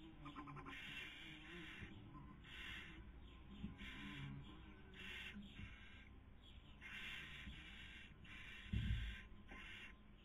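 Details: Barn owls in a nest, Cabañeros National Park, Spain, 2020 breeding season, female feeding, male trying to sleep; rapid, fairly quiet run of about a dozen short breathy hisses, with a dull thud near the end.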